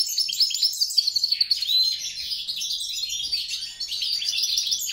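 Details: A European goldfinch × grey-crowned goldfinch (Carduelis carduelis × C. caniceps) hybrid mule sings a fast, unbroken stream of high, tinkling twitters and buzzy trills, with bright slurred notes woven through. No other sounds stand out.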